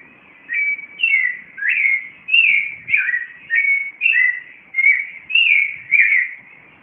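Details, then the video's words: Dawn song of a Clay-colored thrush at 4:45 am in Cartago, Costa Rica: a steady run of about eleven mellow, slurred whistled phrases, each roughly half a second long, delivered back to back without pause. "El Canto Yiguirros de Cartago a las 4:45 A M"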